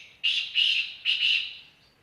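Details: Black francolin from Khushab giving a loud rasping call: two grating phrases, each of two or three harsh buzzy notes, separated by a short pause, with little else audible.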